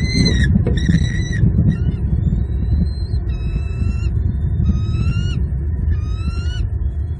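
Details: Bald eagles on a southwest Florida nest in February 2022, the female feeding the male's fish to two eaglets; a run of thin piping squeals, some short and rising, others longer and upslurred, amid loud wind rumble.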